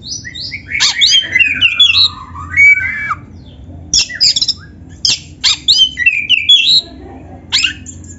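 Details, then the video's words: Oriental magpie-robin of the black-chested form, a singing kept bird whose song borrows canary phrases, pouring out tangled twittering and squeaky slurred notes, then sharp separate bursts about every second with brief gaps between. "MASTERAN KACER GACOR FULL ISIAN MEWAH KENARI⁉️ || BURUNG KACER DADA HITAM COCOK buat PANCINGAN‼️"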